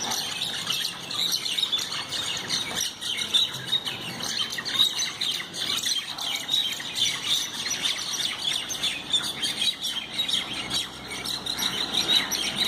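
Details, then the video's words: Common mynas fighting each other: dense, harsh chattering and high squeaky chirps tumbling over one another in bursts, loud and continuous, with a scratchy, noisy background. "Shalik der marpit -Shalik Pakhi/Myna Bird"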